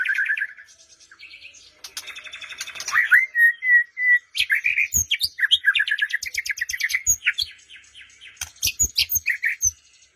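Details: A white-rumped shama sings as a lure to get a silent bird calling, morning or afternoon: a whistled opener, scratchy notes, a clear sustained whistle, then rapid varied warbling with sharp clicks.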